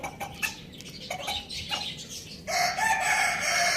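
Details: Pet rooster, kept among hens, chicks and budgies, starting a loud crow halfway through after a stretch of scattered clucks and small bird chirps; the drawn-out tonal note is cut off at the end.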